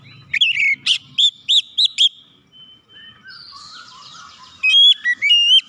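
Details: Oriental magpie-robin lure song meant to make silent magpie-robins sing fast: a burst of short, sharp whistled notes, a quiet, softer stretch, then clean, high whistles at the end.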